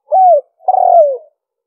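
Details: 'Liêu ròng' coo of a spotted dove, used to draw in wild birds: a smooth, level, hollow note, a short pause, then a longer, slightly rough coo falling at the end.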